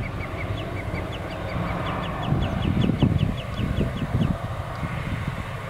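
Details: Black-tailed godwit calling, a quick series of short, clipped high notes repeated several times a second for about three seconds, then lost under low rumbling engine-like noise.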